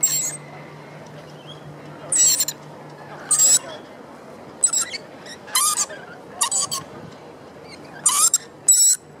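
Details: Rainbow lorikeet at the Royal Botanic Gardens in Sydney, near the Opera House: harsh, broadband screeching bursts at irregular intervals, each under half a second, with a steady low hum and a faint background murmur.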